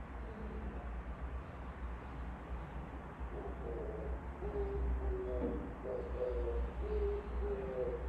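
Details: Oriental turtle dove singing outside the window, its low repeated coos rising out of a heavy rumble in the second half, several short hoarse notes in quick succession.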